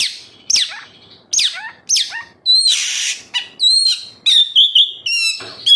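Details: Oriental magpie-robin, a kept songbird, singing loud varied phrases used as a lure to get other captive birds singing: sharp descending whistles and slurred notes, then a buzzy burst and a run of quick repeated whistled notes.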